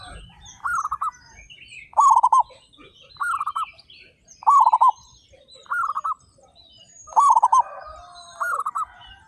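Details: Local zebra doves with big voices, thirty-five birds in the collection: a low, rolling trilled coo repeated about every 1.3 seconds, seven phrases in all, with faint high chirps in the background.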